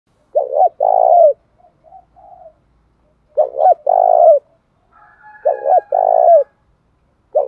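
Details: Spotted dove, as big as a pigeon, giving a combative challenge call in the thổ bầu voice style: husky low coos, a short double note then a longer rolling coo, repeated twice, with fainter softer coos between.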